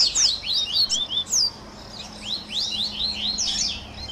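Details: Captive-training baderna of the double-collared seedeater: bright, clear whistled slurs and quick chirps, first loud and spaced, then a softer, busier run of high notes.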